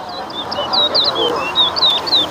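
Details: Competition song of a towa towa at a Better Hope, Guyana whistling contest: a fast chain of sharp, high whistled notes, short downslurs and hooked slurs, delivered continuously over a murmur of voices from the crowd.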